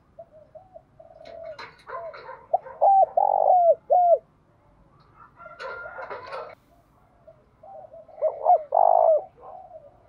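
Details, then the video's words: Spotted dove decoy calling to challenge wild doves: repeated short coos building into a loud phrase of arched notes around four seconds, a pause, then another loud cooing phrase near the end, with softer background coos. "chim cu moi thúc đấu rút bổi gáy theo hiệu quả/ bổi nhát mấy nghe là gáy"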